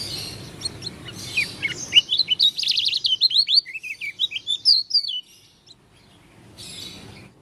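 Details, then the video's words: Oriental white-eye of the Lombok leaf type, described as having an odd voice: a fast run of high, thin twittering notes rising and falling, about two per second, then a brief silence and faint background chatter. "Pleci dakun lombok suara aneh"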